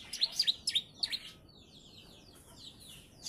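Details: Young bar-winged prinia, three months old, with ciblek song tutoring; a quick series of five loud sharp chirps followed by soft, fading high twitters.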